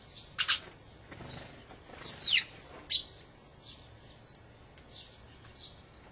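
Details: Dusky thrush, a winter visitor migrated from the far north, giving short, sharp, high calls, some with quick downward slurs, spaced unevenly once or twice a second and thinning toward the end.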